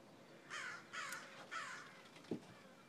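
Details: Three drawn-out hoarse crow caws about half a second each, evenly spaced, followed by a brief low knock near the end.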